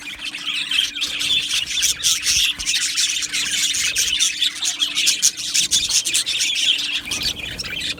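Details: Many budgies chattering together in an aviary: an unbroken wash of high, grating warbles and chirps that stays steady in loudness throughout, over a faint low hum.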